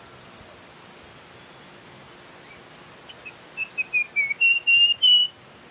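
Russet-crowned warbler: a quick run of about eight clear whistled notes that climb in pitch and grow louder, preceded by faint high chips.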